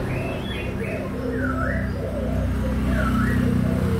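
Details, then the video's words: Young captive spotted doves of Malaysian and Thai strains, recorded 24 June 2021, give soft low coos repeated in quick succession, while other birds add rising and falling whistles and a steady low hum runs underneath. "cu gáy malaysia và thailan non"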